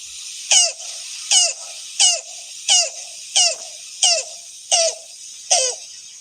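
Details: Yellow-billed Cuckoo in Upstate New York giving eight squeaky, downward-sliding notes like a dog's squeaky toy, one about every three-quarters of a second, over a steady background hiss.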